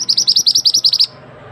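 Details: Close, clear run of about eleven rapid, piercing high chirps in one second from a mantenan bird, taken as tutor song for training other birds, ending abruptly into quiet.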